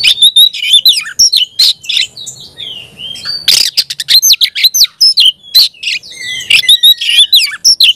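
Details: A hard-singing Oriental magpie-robin gives a long run of loud, varied notes: sweet whistles, harsh buzzy bursts and quick mimic-like slurs, nearly continuous.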